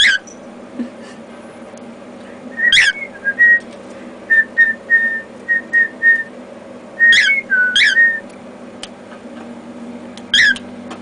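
A cockatiel whistles a learned human tune in clear, steady notes broken by sharp rising chirps.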